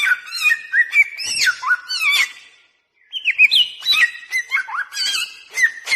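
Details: Bare-throated whistler singing a lure song for calling birds: two bursts of rich whistled phrases with rising and falling slides, separated by a brief silence near the middle.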